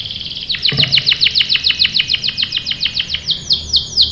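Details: Canary song played as a lure to prompt young canaries to sing: a rapid run of bright, downward-swept whistled notes, about five per second, slowing into broader sweeps near the end.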